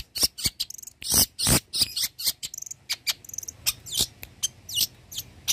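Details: Energetic Long-tailed shrike song, a mimic of many bird voices. Varied high phrases mix scratchy bursts, squeaky chirps, quick chatters and thin whistled slurs that change from note to note.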